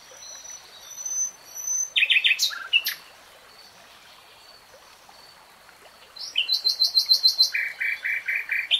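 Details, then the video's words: Nightingale song in a forest beside a flowing stream: high thin whistles, then abrupt buzzy chattering bursts, a pause, and a fast rattling trill of repeated notes, with soft water noise underneath. "BEST NIGHTINGALE SONG 3 Hours REALTIME Nightingale Singing, NO LOOP"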